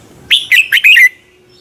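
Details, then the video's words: A single short phrase of red-whiskered bulbul morning contest song, used as a lure to spur other bulbuls to sing: four bright, slurred, whistled notes ending on a falling warble. "Luyện chào mào hót sáng Giọng chuẩn hay Để ép bổi căng hót, chào mào hót đấu"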